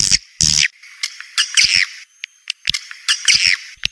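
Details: Lure recording of edible-nest swiftlets, the "Joker" sound used for a swiftlet house: scattered high, rasping chirps and short twitters with gaps, plus clicks and a thin steady high tone in the background.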